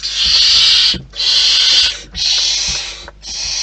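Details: Barn owls at a wild nest give steady hissing bursts, each about a second long, in an even rhythm with short silent gaps and light tapping underneath.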